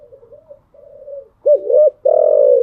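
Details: Spotted dove cooing in the morning as a cage bird: two soft, wavering low notes, a loud gulping double note, then a long, strong, throaty coo.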